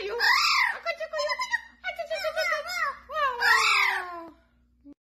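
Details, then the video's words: Blue-fronted amazon parrot indoors, chatting with its trainer; bursts of chirpy, harmonic talk-like syllables with rising and falling inflections in quick runs, then a long gliding falling note trailing off into quiet. "Parrot Talking"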